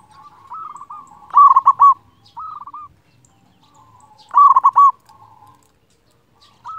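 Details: Zebra dove, kept as a master singer to excite quiet or stressed birds: soft trilled coos alternating with loud bursts of rapid rolling coo notes, repeating roughly every three seconds.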